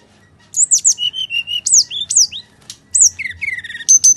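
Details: A Bali myna sings in fighting mood, intended to spur a reluctant bird: rapid run of high, slurred whistles and descending notes, then lower warbled phrases and a steady high whistle.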